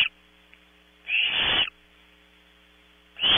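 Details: Nestling barn owls at Audubon Starr Ranch, California, jostling over prey brought at 3 a.m.: two rasping, noisy hiss bursts, one lasting about half a second, separated by two seconds of quiet with a low steady hum.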